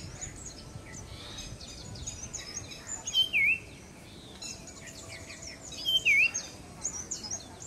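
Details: Breeding adult male Common Iora vocalizing as part of a display, giving a clear, downslurred then rising whistled note twice, about three seconds apart, over a busy background of other birds chirping and steady environmental hiss.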